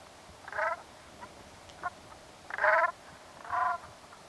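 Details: Throaty, rolling nasal calls from a brant goose, three main bursts about a second apart with a couple of quieter short notes between, against low steady background hiss.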